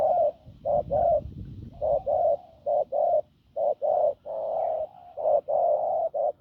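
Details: Wild-caught field spotted dove with a hoarse, forceful coo: about fourteen short, low, hollow notes in uneven pairs and runs, with a brief low rumble under the opening notes.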